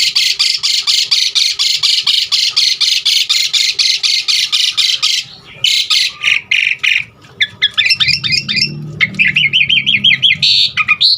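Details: Asian pied starling giving a long run of rapid harsh rasping notes, about two a second, then shifting to varied twittering and rising whistled chirps with a low rumble behind.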